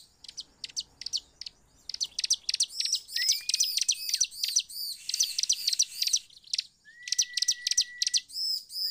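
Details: Bar-winged prinia (ciblek) song played as a lure to draw other prinias into lively singing: bursts of sharp, very high chirps in rapid clusters, interspersed with two thin, drawn-out whistles that rise slightly, and brief pauses between bursts.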